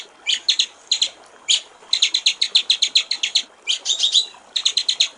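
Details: Singing white-rumped shama in gericik air style: short clusters of quick, high chip notes interspersed with isolated louder whistles and small gaps, the rhythm stop-start rather than continuous.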